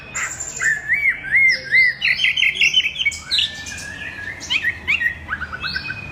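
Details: Chinese hwamei singing a varied, fast melody of looping whistles, quick trills and downward slurs, phrases changing constantly over a faint low hum.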